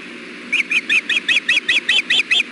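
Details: Osprey pair at their nest during a fish delivery, the male offering the female bites of fish; ten rapid, high, slightly hoarse whistled chirps in an even run, with a low steady hum behind.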